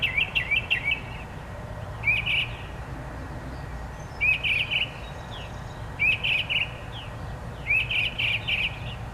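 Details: Songbird delivering short, high whistled phrases of three or four clipped notes, repeated roughly every two seconds with quiet gaps between; steady low environmental hum underneath.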